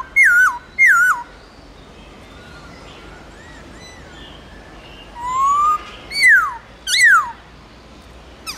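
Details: White-browed laughingthrush singing in its loud, clear forest-voice style: two strong whistled notes slide down with a wavering dip, then a pause, a softer rising whistle and two more falling whistles.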